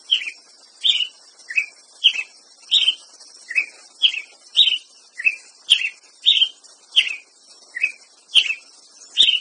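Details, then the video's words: A Ruby-crowned Tanager repeats a short, bright chirped note about every two-thirds of a second, steady and insistent, over a faint high insect-like hiss. "Canto do pássaro Tiê preto"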